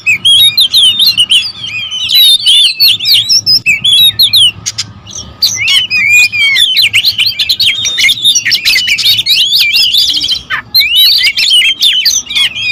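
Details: Several oriental magpie-robins, territorial birds, agitated and singing at once: dense, loud streams of sharp whistles, trills and chattering notes tumbling over each other almost without pause, with brief clicks and a short lull near eleven seconds.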